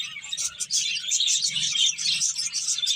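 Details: Several finches eating and playing: a dense, continuous wash of high, thin chirps and twitters overlapping from many birds at once.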